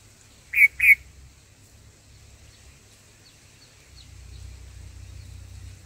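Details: Black-headed bulbul mother at the nest with her chicks gives a single pair of buzzy, rasping notes early on, then only faint rustling and a low rumbling background.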